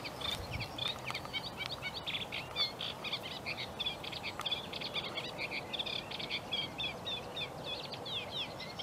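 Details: Hidden sedge warbler at Broom Lakes, Bedfordshire, near Biggleswade, 26 April 2021, reed warblers also present. Continuous rapid chattering song of dry, buzzy and whistled high notes in quick varied runs, over a faint steady background hiss.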